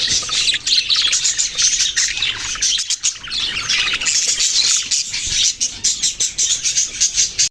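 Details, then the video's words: Budgerigar flock chirping: bright, high, continuous chatter with quick repeated chips growing choppier toward the end. "Sweet birds chirping sounds #birds #budgrie"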